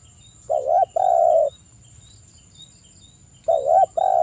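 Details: Spotted dove in a forest-style calling lure: a wavering coo followed by a long level croo, repeated after about two seconds, over faint high insect ticking.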